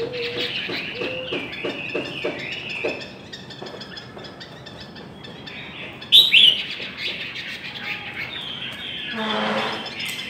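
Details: Chinese hwamei singing in a contest: quick sequences of high whistles and staccato notes, a sudden loud shrill phrase partway through, then softer scattered notes and a brief rustling noise at the end.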